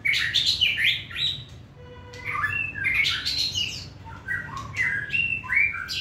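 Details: White-rumped shama kept caged and carried by hand, a contest-grade singer with a short tail, pours out rich varied whistles, slurred phrases and bright upward notes in continuous flowing song.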